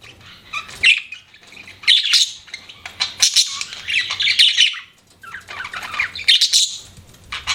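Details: Budgerigars kept as pets give separate bursts of harsh, high chirps and squawky warbles, each lasting about a second, with brief silences between.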